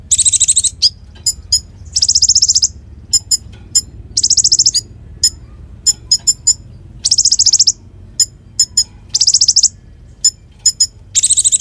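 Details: Lively konin used as a singing companion for magpie-robins: very high-pitched rattling trills roughly every two to three seconds, with crisp single and paired ticks between them.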